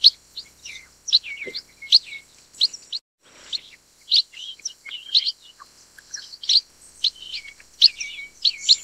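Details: Black-headed munia, also called chestnut munia (Lonchura atricapilla): continuous high chirping with short twittering phrases and slurred notes in uneven bursts, briefly pausing near the middle, with a steady faint high hiss.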